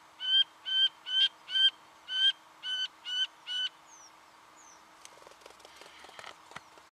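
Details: Singing honeyeater from Victoria, Australia, November 2011: a rapid run of eight nasal harmonic notes, then faint thin descending whistles and a burst of rustling, crackling noise at the end.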